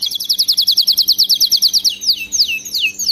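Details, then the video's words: Canary singing for song training of pet canaries: a long even trill of quick repeated high notes, about three per second, breaking into three slow falling slurred whistles at the end. "صوت كناري مذهل لتدريب وجعل طائرك الكناري يغرد بلا توقف canary singing training bird"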